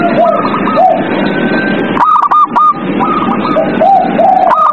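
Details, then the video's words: Night-time zebra dove song used to coax captive doves into singing. Soft rounded coos come in pairs, broken by rapid clipped higher notes, with a constant noisy wash behind them. "TERAPI PERKUTUT MALAM HARI | PANCINGAN PERKUTUT AGAR BUNYI"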